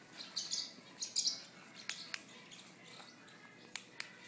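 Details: Female sun conure, a pet kept indoors, clicking her beak while tearing up a napkin: a few sharp, dry clicks spaced unevenly among soft hissy rustles of paper.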